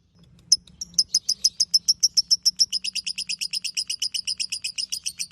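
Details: Lovebird singing ngekek, a master song for tutoring other birds: quick series of piercing high chips, starting with a few spaced notes, then a rapid steady rattle with a slight drop in pitch, over faint low hum.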